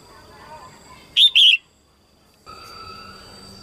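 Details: Red-whiskered bulbul female, early 2022 season, singing to excite males; one loud paired whistled phrase, then a faint steady tonal hum.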